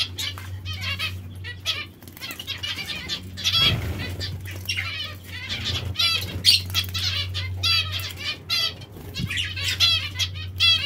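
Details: Captive zebra finches or Bengalese finches bathing, giving many quick, nasal, slightly buzzy calls in clusters, some rising notes, with fluttering wings, water splashes and a continuous low background hum.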